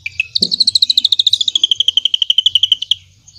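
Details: Drongo song with cililin filling, played to train white-rumped shamas: a fast, even series of ringing pulsed notes, starting high and gradually lowering across about three seconds, with faint low background rumble.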